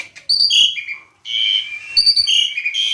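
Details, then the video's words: Asian pied starling, tame and singing freely: clear whistled notes stepping down in pitch, a short pause, then a long sustained whistle breaking into varied squeaky phrases. "Burung Jalak Suren Gacor dan Jinak"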